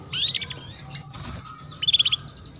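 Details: Female canary chirping, used to coax young canaries into singing: a bright rising-falling chirp early on, faint high notes in the middle, then a quick burst of five or six sharp clipped tweets near the end over low background hum.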